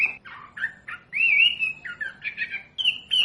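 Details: Captive-bird training recording of a wambi: a brisk mix of chirps and slurred whistles, then a longer sustained whistle that wavers before quick closing notes.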